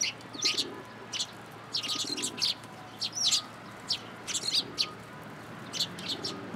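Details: Sparrows gathering in a cherry tree at a Tenmangu shrine on 22 March 2023, giving short high chirps in loose bursts of two to five notes, with faint rumbling background noise.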